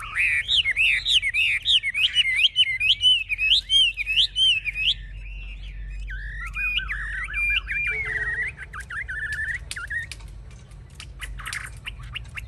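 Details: Chinese hwamei kept in a cage, raising its wings and fanning its tail, noted as an aggressive fighter; a long run of fast rolling whistles, then lower warbled phrases and scattered clicks.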